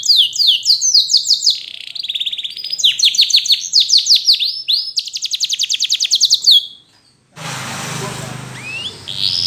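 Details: A yellow canary sings a lively sequence of descending slurs, rapid rolls and a fast even trill. It stops abruptly, leaving soft background hiss and one faint rising note.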